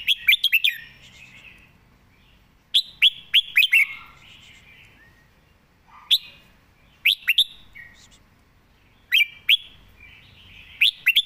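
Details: Red-whiskered bulbul kept in a cage, an eager singer with a good voice, delivering rapid bursts of sharp, sweet notes in short phrases roughly every two seconds, linked by quieter slurred warbles.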